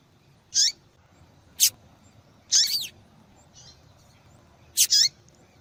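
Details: Female double-collared seedeater calling insistently to excite males into singing: five brief, piercing high notes, several ending in a falling slur, one slightly longer and doubled, at irregular intervals against a faint low rumble.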